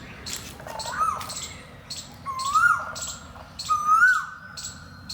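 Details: Asian koel hidden in treetop foliage on an early spring morning at a wetland near Gurugram, India, giving three clear, rising, penetrating 'ko-el' whistles about every second and a half, while smaller birds chirp higher in the background.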